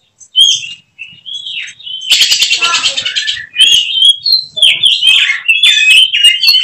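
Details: Caged oriental magpie-robin (kacer) kept as a contest prospect, delivering a rich, continuous song of whistled slurs and rapid buzzy rattles, harsh trill bursts woven among clear rising and falling notes.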